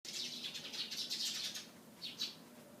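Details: Eurasian tree sparrows calling in the morning near a white sports car: a dense run of high, bright chirps for about a second and a half, then a pause and two more quick sharp chirps.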